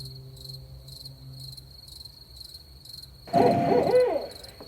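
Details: Barred owl at night giving a short loud burst of wavering, arched hoots near the end, after several seconds of steady pulsing cricket chirps that continue throughout.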